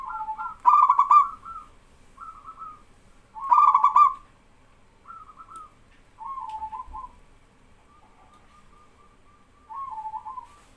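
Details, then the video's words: Local male zebra dove singing actively, prompting untrained doves to call back: loud rolling trilled coos around a low pitch, answered by softer, quieter trilled phrases from other doves in a back-and-forth exchange. "BURUNG PERKUTUT LOKAL JANTAN GACOR BIKIN PERKUTUT BAHAN IKUTAN BERSUARA"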